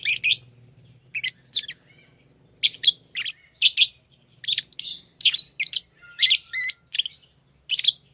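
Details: Tame lovebirds giving loud, high, shrill chirps in quick irregular bursts, some doubled, with short pauses between them.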